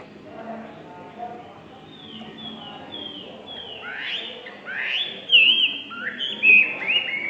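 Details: A tame one-season Chinese hwamei (Garrulax canorus) sings a rapid stream of loud, clear whistled phrases, many rising or slurred, building in strength over the last few seconds.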